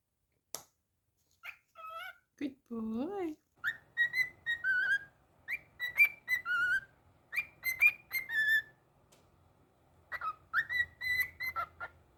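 A cockatiel gives bright, repeated whistled phrases that rise and fall, mixed with short speech-like sounds.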